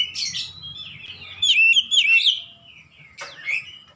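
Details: Oriental magpie-robin singing, used as therapy to get a silent magpie-robin singing again: clear whistled phrases with slurred, wavering notes, a loud burst midway and a sharp downward note near the end, over a faint low hum.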